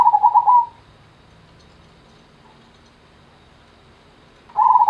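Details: Zebra dove, Gendowo Sabdo type, giving a short burst of fast stuttering coos at the start, then a long quiet pause with faint low hum, before another rolling coo phrase begins near the end.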